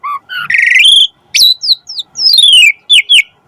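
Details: Asian pied starling singing, recorded as a master and lure track meant to prompt starlings to sing. Warbled rising phrase, a bright whistled note, then sweeping descending whistles and short clipped chirps.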